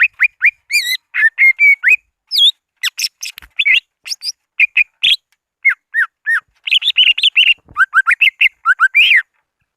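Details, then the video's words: Greater green leafbird calling rivals, a lure recording: a fast, varied stream of loud whistled slurs, rising and falling notes and brief chatters with hardly a pause throughout. "Suara Asli pikat CUCAG IJO BIG memanggil lawan"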